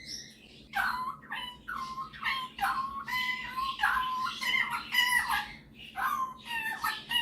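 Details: Male pet superb parrot showing off its mimicking, giving a continuous stream of rich, nasal harmonic notes and level whistles with little pause, indoors.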